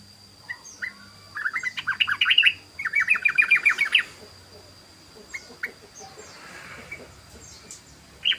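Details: Yellow-vented bulbul (trucukan) singing ropel: two dense bursts of fast chattering notes, then quieter scattered chirps and a last sharp note, over a hissy background and a steady high tone.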